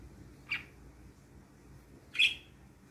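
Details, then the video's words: Three pet parakeets, white and blue, blue, and albino, happy in the morning indoors: two short sharp chirps about one and a half seconds apart, the second louder, over faint room hum. "Cute Parakeets Chirping and Playing"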